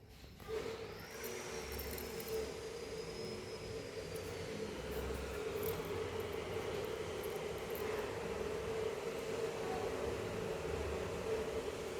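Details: A steady mechanical rumble and hum with a thin high whine, like a passing train; no animal calls. The noise holds evenly throughout, and no chirps or calls rise above it.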